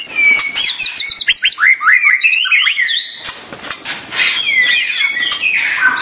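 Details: White-rumped shama delivering fast repeated whistled notes in rising and falling series, followed by buzzy sweeping phrases and a loud downward slur.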